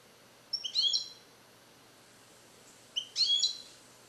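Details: Captive-bred European goldfinch born in 2021, song-trained with Neapolitan passages and isolated in a carrier for recording: two short bursts of high, twittering chirps with a steady hiss behind.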